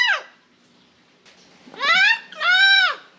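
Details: A parrot living at a hostel-campground in Ecuador, around 2,500 m altitude, calls while hidden in a plant near the common area: three harsh, nasal squawks, each arching up then down, two close together near the end, with faint room noise between.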